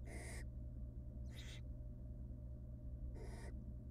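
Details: Wild barn owl nestlings in a monitored nest box, fed tiny pieces of rabbit by their mother, giving three harsh, broadband hissing bursts about half a second long, spaced irregularly over steady low hum.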